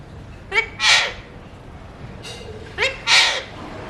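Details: Alexandrine parakeet of a colour mutation, a pet talking parrot, uttering two short spoken-sounding phrases, each a brief harmonic syllable followed by a louder raspy, breathy burst, with a quiet pause between them.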